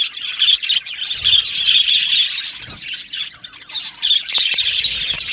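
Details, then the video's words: Aviary flock of budgies giving a steady stream of high, warbled chirps and harsh squawks, several birds overlapping in busy chatter with a brief quieter dip near the end. "Beautiful Budgies chirping sounds"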